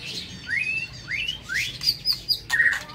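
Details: Morning song of a caged White-rumped shama in an aviary: three clear rising whistled slurs in sequence, followed by high thin notes and a short burry note.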